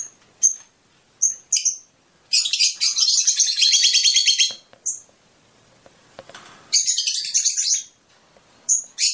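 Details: Fischer's lovebird song meant to stimulate mating: scattered piercing high chirps, a long harsh twittering run of two seconds, a soft rustle, then another shorter rasping chatter and more sharp chirps.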